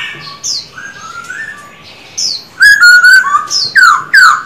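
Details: Black-throated laughingthrush, caged male in song training, gives loud whistled notes slurring up and down, sharp clipped bursts, and a falling rich whistle, with softer distant whistled phrases before it.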